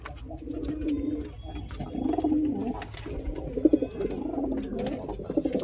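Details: Pigeon, described as real, cooing in repeated low, rolling phrases that swell and dip, accompanied by a few sharp clicks and light rustling close by.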